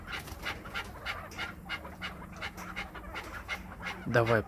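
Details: Pet Chukar partridge from Krasnoyarsk calling when urged by its owner: quick rhythmic run of rough clucking notes, evenly spaced, with a brief louder human voice near the end.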